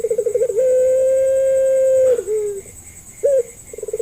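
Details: Barbary dove of the Indonesian puter pelung type, recorded as a calling lure for doves learning to call. A quick pulsed stutter swells into a long even low coo of about 1.5 seconds. It drops away, then a brief abrupt note follows. Thin electronic whine throughout.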